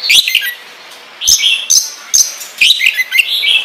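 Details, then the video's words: Oriental magpie-robin in ngobra style, used to draw other magpie-robins into singing: short phrases of rasping notes and high whistles repeated about every half second, over a faint steady hiss. "Pancingan Kacer Gacor Ngobra Menggila"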